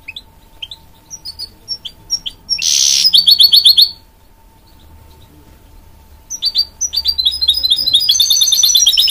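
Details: Hybrid goldfinch mule sings high twittering phrases broken by a loud buzzy burst, then rapid repeated chirps. After a quiet pause, the song returns as a building series of fast, rhythmic notes.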